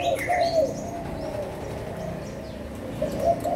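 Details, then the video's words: Adult spotted doves from Malaysia and Thailand, recorded 16 March 2022; a short mellow coo opens the clip, then fainter cooing continues before a clearer coo returns at the end, with a low background rumble. "cu gáy trưởng thành malaysia và thailand"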